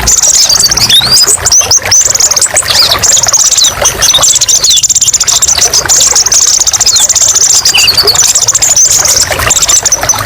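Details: A brown-throated sunbird (kolibri ninja) pours out sharp, varied song for tutoring other birds: a long unbroken stream of very high, rapid, sizzling chirps that barely pauses, with a soft background rumble.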